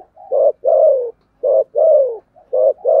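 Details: Spotted dove cooing in the deep 'thổ sấm' voice style: low, hollow coos in repeated pairs, a short rounded note followed by a longer drawn, slightly falling one, cycling three times with clean silence between.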